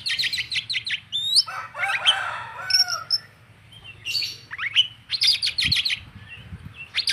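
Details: Oriental magpie-robin (kacer) in full, vigorous song: loud bursts of quick repeated notes alternate with sweeping whistles and chattering phrases, pausing briefly midway before the rapid notes resume.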